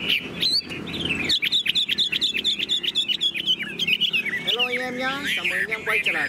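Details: Caged tame Chinese hwamei in full song, pouring out rapid looping whistles and bright trills that rise and fall. A man's voice talks over the last couple of seconds.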